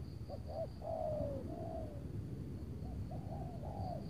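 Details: Spotted dove in Tangerang on an overcast late afternoon before rain, lured with a decoy bird toward a big-voiced wild target. Low hooked coos and a long slurred, falling coo, with a steady high insect drone behind.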